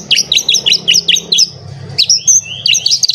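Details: Agitated white-rumped shama singing as if seeking a rival, a loud varied run of sharp repeated chirps and rising whistles, about seven quick notes in the first second and a half, then slurred whistled phrases.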